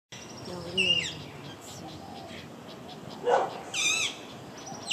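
Alexandrine parakeet giving a few short, harsh, nasal squawks spaced a couple of seconds apart, with faint voices and room noise behind.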